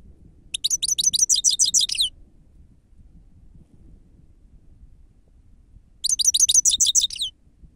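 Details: Lure recording of a grey-crowned goldfinch singing in the 'sava' style: two quick, tinkling twittered phrases about one and a half seconds long, roughly four seconds apart, over quiet low background noise.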